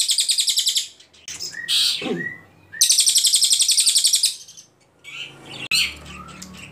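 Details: Ashy Tailorbird (cililin) tutor song for training other songbirds: two high rapid trills of repeated notes, each about one to one and a half seconds, separated and followed by scattered chirps and short whistled slurs.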